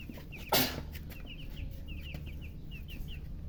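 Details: Colour chicks thirsty for drinking water chirp in a row of brief high peeps, about three per second, after a loud bang near the start; low hum behind.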